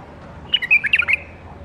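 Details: Caged bulbul, captive-bred in the 2018 season, delivering one brief rapid phrase of tumbling, liquid whistled notes lasting under a second.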